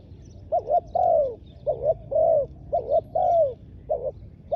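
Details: Ground decoy spotted dove luring wild doves, repeating a doubled coo pattern four times: a quick two-part note followed by a long downward-curving croo, clear and mellow over low hum and scattered faint chirps.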